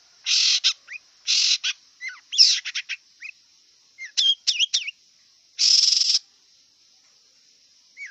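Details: Wild long-tailed shrike delivering harsh, rasping bursts, each about half a second long, mixed with short rising whistles and quick twisted notes. A constant faint high-pitched drone runs underneath.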